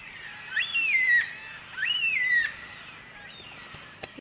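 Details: Carnaby's black cockatoo, an endangered south-western Australian species, while a female preens her companion's head: two drawn-out wailing calls, each rising quickly then sliding down, about a second apart, over faint hiss.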